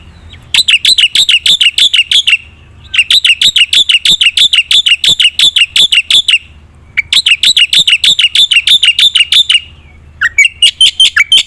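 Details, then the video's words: Energetic black-winged myna song, gacor full isian style, to get silent birds singing: three long bursts of rapid, rattling shrill notes, about six per second, separated by short pauses, ending in a rising call. "suara burung jalak putih gacor full isian"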